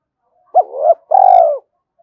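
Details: Spotted dove coo meant to goad wild birds into fighting and draw them close. A low, clean phrase: a brief upturned note leading into a steady hum, a pause, then one drawn-out coo that sags at the end.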